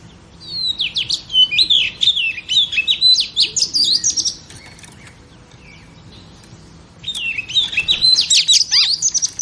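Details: Pet female oriental magpie-robin singing to stimulate males: two long bursts of fast, varied chattering whistles with a quiet stretch between them.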